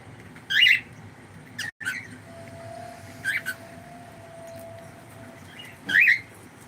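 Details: Pet cockatiel calling indoors on a live stream: four loud, sharp, squeaky chirps spaced over several seconds, each bright and slightly rising, with a faint steady tone and low background hum between them.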